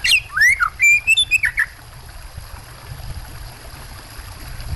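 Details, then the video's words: White-rumped shama with water sounds: a quick opening phrase of loud whistles, looping slurs and chirps lasts under two seconds, followed by steady low watery noise. "Suara burung kacer plus suara air terbaru"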